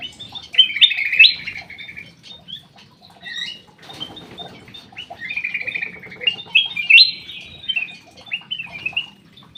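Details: Black-crested bulbul from an aviary singing two loud whistled phrases of slurred, liquid notes separated by softer chirps and a brief rustling sound in between.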